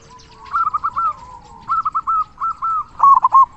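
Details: Local zebra dove singing the big 'kung' tutor song: a soft trailing note, then runs of evenly spaced short cooing syllables, ending in a louder doubled note.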